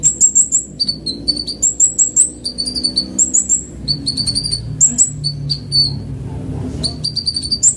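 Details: Fast lure sound of Van Hasselt's sunbird: dense runs of very high ticking notes alternating with lower slurred whistles, repeated in rapid phrases with a short gap, over a low background hum.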